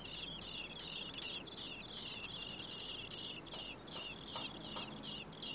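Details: Common blackbird nestlings, four in the nest, begging while both parents deliver food on a day over 30 °C; busy high-pitched twittering and scratchy notes in an unbroken stream, low background rumble.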